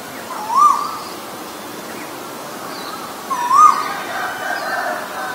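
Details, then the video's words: Male and female Asian koel recorded together; two short rising whistled notes about three seconds apart, each curving up then dropping, with faint high bird chirps in the background. "นกกาเหว่าตัวผู้และตัวเมีย (Asian koel, Male, Female)"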